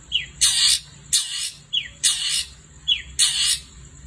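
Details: Long-tailed shrike at night giving loud, harsh, rasping squawks about every 0.9 seconds, each preceded by a short rising note, over a steady thin high tone.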